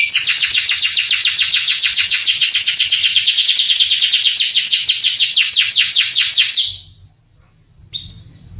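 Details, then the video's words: Canary song meant to stir young canaries into answering and singing: a long, loud, rapid trill of high repeated notes lasting about six and a half seconds, then stopping abruptly, followed by near silence and one short chirp. "MASTERAN KENARI bikin KENARI PANAS EMOSI langsung gacor"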